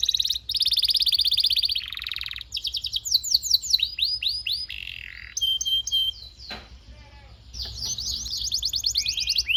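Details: Canary song used as tutor recording for training young canaries, with long song, 'tembakan' shots and rolls: high rapid trills, buzzy rolls and descending whistled sweeps shift in quick succession, a short quieter gap midway, faint low hum.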